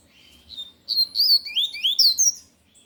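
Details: Lined seedeater belting out its tui-tui song: a soft opening note, then a rapid series of six loud, high, slurred whistles rising and falling, each under a quarter second, ending abruptly.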